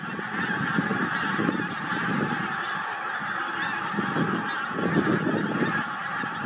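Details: Steady chorus of many pink-footed geese recorded at Starene, 2023, countless overlapping honking calls blending into an unbroken, swelling din.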